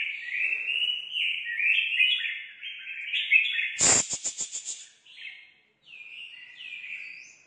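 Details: Forest-caught red-whiskered bulbul in competitive song, delivering continuous rapid warbling phrases that step up and down, broken midway by a harsh rattling burst of rapid pulses before the melodious notes resume.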